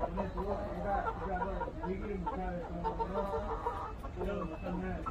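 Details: Korean native chickens, a traditional local breed, clucking steadily: short, low, repeated notes follow each other rapidly for several seconds, with other soft flock sounds underneath.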